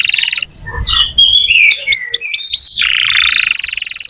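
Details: Canary song for prompting young or quiet canaries to sing: buzzy trill, clear whistles, then five rapid rising swooped notes before a long fast rattle.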